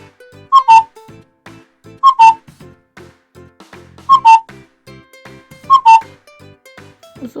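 Common Cuckoo giving its two-note, falling "cu-coo" four times, roughly every two seconds. Soft music plays underneath.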